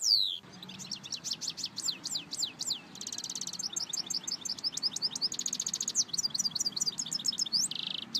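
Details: Continuous high twittering from a European goldfinch, with quick liquid chirps broken by two dry buzzy rattles and a closing nasal buzz, over light background hiss.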